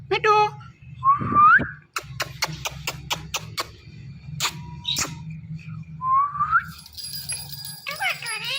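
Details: Parrot said to be calling "Mithu" gives rising whistles, one early and one later, separated by rapid clicks, with a low hum and a squawky syllable at the end.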